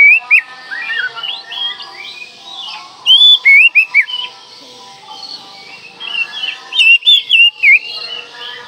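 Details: Oriental magpie-robin song played to rouse mute birds: clear warbled whistles rising and falling, loud rapid groups of notes around the middle and end, softer chatter between, over constant faint hum.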